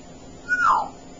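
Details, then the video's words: Male pet African grey parrot at home giving a single clear whistle that starts as a level tone and slides downward. It lasts about half a second and follows an owner's affectionate questions in a quiet room. "the Super Chatty African Grey Parrot"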